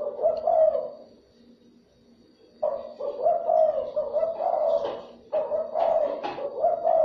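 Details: Spotted dove coos used as a lure for other doves, sounding loud and somewhat harsh or distorted: two bursts of rolling cooing notes separated by a quieter pause with a faint low hum.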